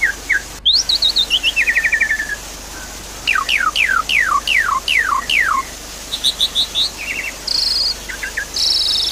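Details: Javan pied starling song used to prompt a silent caged bird: quick repeated chirps, a run of long descending whistled strokes, then high chattering notes and short buzzy bursts.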